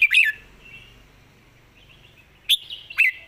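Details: Red-whiskered bulbul described as having good song phrasing and singing readily; a short bright chirp rising to a high point opens the clip, then near silence, then two quick whistled notes at the end.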